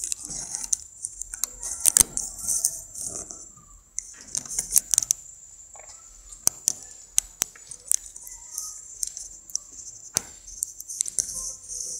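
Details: Metallic jangling and sharp clicks over a steady high hiss, with no clear animal voice.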